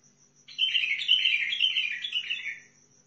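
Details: From Al-Faw in Basra, a Sihani bulbul delivers a rich, rapidly modulated warbling phrase lasting about two seconds, with notes tumbling up and down, over a thin continuous high hum.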